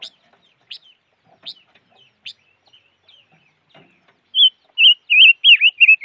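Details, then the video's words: Sharp, scattered chip notes from the five-coloured bird (chim ngũ sắc), followed by a loud run of about seven wavering, warbled high whistles in quick succession in the last two seconds. "Suab noog rheeb quaj chim ngũ sắc"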